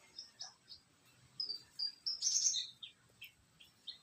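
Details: Australasian bushlark of the parva race delivering thin high whistles and chirps in short spaced phrases, with one denser twittering flourish midway, over a faint constant high hiss.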